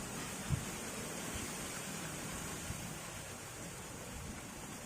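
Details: Steady broadband hiss with a faint low rumble and one soft thump, no animal calls.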